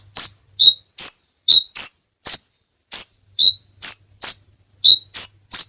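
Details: Crimson sunbird tutor recording with many variations, used to train caged birds: crisp, very high chips alternate with slightly lower, clipped notes in a steady, lively pattern, about two notes per second, on a clean, quiet background.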